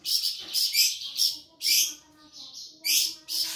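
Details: Flamboyan bird, an insectivorous songbird found across Sumatra, singing: several loud, shrill, buzzy bursts with short gaps, over a faint low tonal murmur in the background.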